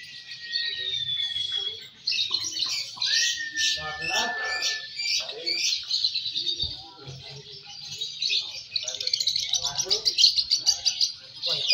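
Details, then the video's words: Competition singing from young fighter lovebirds, M1 and M2 balibu: a rising whistle, then continuous high, rapid, buzzy trilling and chatter lasting many seconds, with faint human voices and clicks underneath. "Suara Burung Loverbird Fighter M1, M2 Balibu Saat Lomba"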